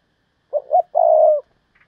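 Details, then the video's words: Spotted dove kept as a decoy, calling thúc bổi style to bring in wild doves. One phrase: a quick double coo leading into a long, level coo. "tiếng cu mồi thúc bổi, cu gáy mồi cây"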